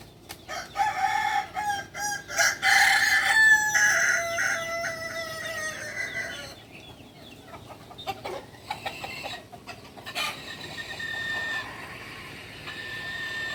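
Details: Kukuak Balenggek chicken from Solok, West Sumatra, crowing in the first half with a broken series of ringing syllables, followed by clucks, clatter and farmyard background noise.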